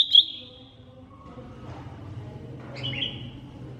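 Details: Masteran recording of a cucak ijo mini, the greater green leafbird: a loud opening high whistle fades into softer lower tones, then a second sustained whistle rises after a quiet gap, with a low background hum.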